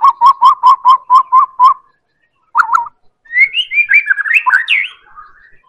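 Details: White-rumped shama from Medan, used as a singing lure: seven clear, evenly spaced whistles on one pitch, a brief double note after a pause, then a climbing, varied warble.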